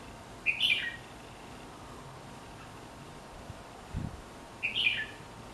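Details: Red-whiskered bulbul around a house uttering two short warbled bursts about four seconds apart, separated by near silence and a faint low knock.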